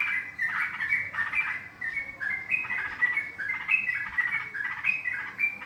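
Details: Trucukan, the yellow-vented bulbul, in lively lure calls for trapping: a dense run of bubbly chattering phrases with clear whistled accents, steady and overlapping throughout, with a soft background murmur.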